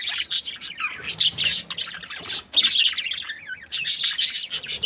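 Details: Happy budgerigars chirping in a busy scratchy warble, broken by a short wavering whistled note before the raspy chatter resumes.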